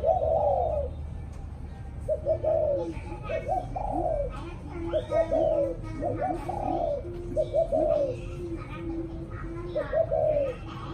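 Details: Spotted dove giving repeated evening coos: a series of short-note phrases, each ending in a drawn-out falling coo. Lower cooing, faint speech and music are heard alongside.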